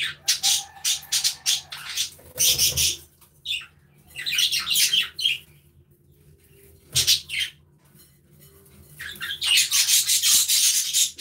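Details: Several budgerigars interact in their aviary, trading bursts of fast scratchy chatter and short chirps, with quiet gaps between the outbursts and a sustained noisy chorus at the end.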